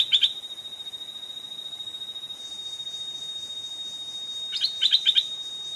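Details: Wild stripe-throated bulbul, an aggressive old bird answering a caged decoy bird near a trap: a short burst of clipped notes at the start, then after a pause a run of four rapid chattering notes, with a constant high insect drone throughout.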